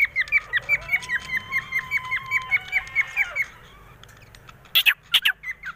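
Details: Pet cockatiel in a happy mood giving a quick run of short chirped whistles, about five a second for three seconds, each note dipping in pitch, then a pause and a few louder, harsher notes at the end.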